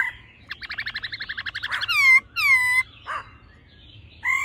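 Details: Laughingthrushes, a female and a male singing in a wild-type voice: a quick run of about a dozen bright, chattering notes, then loud, rich downslurred whistles, with a few rasping bursts after.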